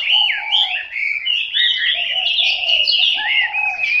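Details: Chinese hwamei kept at home, singing clear, sliding whistled phrases with rich variation, mixed with lower mellow notes beneath, delivered continuously and loudly throughout.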